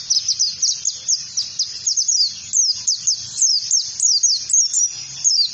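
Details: An oriental white-eye gives ngalas-style trigger song as teaching material for other birds: a steady, lively stream of shrill, downward-slurred chirps, roughly four to five per second, very high and thin.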